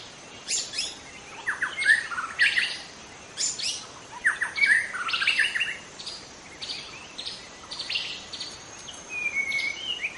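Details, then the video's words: Wild forest white-rumped shama singing, a recording meant to lure other shamas: short bursts of varied whistles mixed with harsh, buzzy and clicking notes, several clear pure whistled phrases, over a constant hissing background noise. "suara asli murai batu hutan cocok untuk Memancing murai batu lain"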